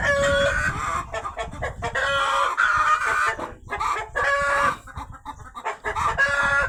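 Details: Rooster calling out loudly after a hen has laid eggs on a farm: harsh, harmonic squawks in irregular bursts, several calls in quick succession, with brief pauses between groups.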